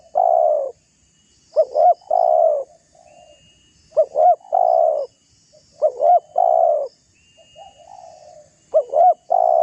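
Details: Spotted dove giving its challenging call to lure rivals. A long coo opens, then paired short notes lead into extended coos, with softer murmured coos between the phrases.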